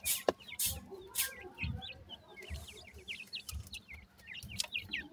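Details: Chicks of grey francolin peeping continuously: thin, high, rising chirps run one after another through the whole stretch, over low thuds and occasional sharp taps.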